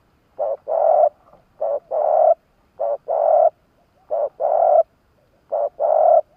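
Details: Decoy spotted dove in Vietnam, kept to lure wild doves, cooing steadily: five phrases roughly every 1.3 seconds, each a brief low note followed by a longer sustained coo, with a quiet background.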